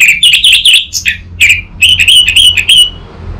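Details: Orange-headed thrush singing as a lure and master recording for a young bird. Dense, loud, high whistled phrases tumble almost without pause, rapid trills and slurred notes repeating, then trailing off near the end.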